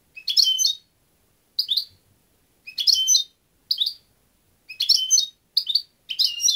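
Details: European goldfinch repeating short, bright twittering phrases about once a second, each a quick cluster of high chirps, with nothing else audible.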